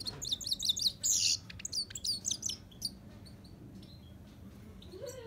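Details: Himalayan goldfinch singing a quick, high twittering run of sharp chirps and trills in the first three seconds, then fading to scattered faint notes over a low background hum.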